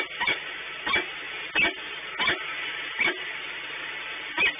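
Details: Peregrine falcon at the Orlen refinery in Płock, Poland, giving harsh, rasping calls, about seven in under five seconds, spaced roughly every two-thirds of a second, over a steady low mechanical hum.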